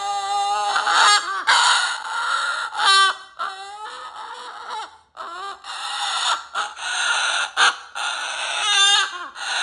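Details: Indoor pet cockatoo vocalising in a rapid, uneven series of raspy squawks and nasal yelps, several with quick wavering upturns, and short silent gaps between bursts.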